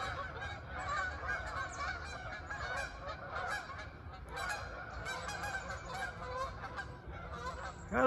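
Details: Flock of Canada geese flying in formation over the Greenbelt trail, Kingsport, Tennessee, on a drizzly morning of 27 December 2023, giving a steady chorus of overlapping nasal honks, several per second, over wind and distant traffic.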